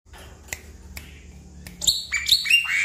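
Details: Black-winged myna, used as a prompt call to get stressed, silent birds singing: after a few sharp clicks, a burst of harsh scratchy notes gives way to loud, clear whistles that step down in pitch.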